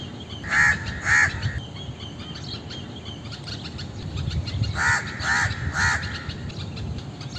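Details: Indian crow calling with two harsh caws, a pause, then three more rapid, slightly falling caws, while faint twittering from other birds and low background noise continue throughout.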